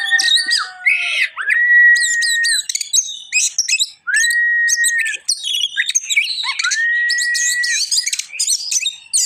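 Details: Oriental magpie-robin in full song: rich, varied, rapid chattering phrases that alternate with long, clear, level whistles held for about a second, repeated several times in a loud, busy performance.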